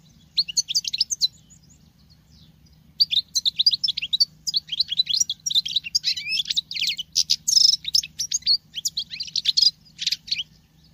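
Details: Female European goldfinch singing as a male would: a short twittered opening, a pause, then about eight seconds of lively, high, rapid tinkling and buzzy trilled phrases, with a low steady hum.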